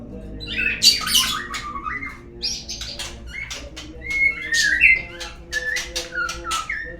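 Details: White-rumped shama song used as a lure sound to make other shamas sing: varied bursts of whistled and buzzy notes, some falling, others short sharp chips, with brief pauses between phrases.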